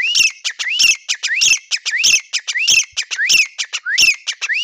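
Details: Grey francolin giving a continuous, loud series of ringing calls. Upswept whistled notes alternate with hard, clicking accents in a steady, rapid rhythm, about one and a half phrases per second throughout.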